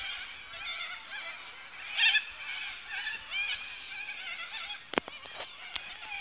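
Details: Cockatoos heard while camping, a steady mass of overlapping rasping squawks and warbling screeches, with a few sharp clicks or knocks near the end.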